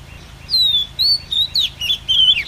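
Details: Female Oriental magpie-robin call used as a lure to trap wild birds: a series of clear whistled notes, some sliding up and some down, given in short bursts about every half second, with quiet background.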